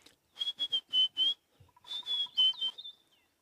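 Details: White-browed Scrub Robin singing on an African morning around sunrise, 9 August 2016, in a roughly 3,000-hectare wilderness area: two quick bursts of high, clear whistled notes, about four a second, with faint soft lower ticks between; bearded woodpecker also noted nearby.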